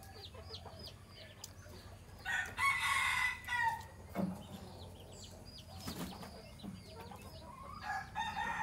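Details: A Phatthalung-line decoy red junglefowl, bred at home for luring wild birds, crows in a coarse, drawn-out burst amid a noisy background of chirping birds, with another faint crow closing the recording.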